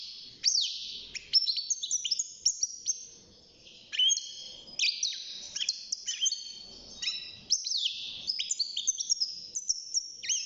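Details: Six-month-old caged European goldfinch beginning its song: long sequence of rapid high twittering, clipped whistled notes and rasping buzzes, delivered in lively bursts with brief gaps.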